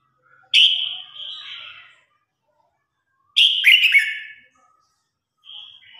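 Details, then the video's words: A red-whiskered bulbul sings a competitive song used to call its flock: three loud, bright warbled phrases, each a second or more long with rolling, slurred notes, spaced a few seconds apart. "Tiếng Chim Chào Hót Đấu /Tiếng Hót Gọi Bầy Đàn"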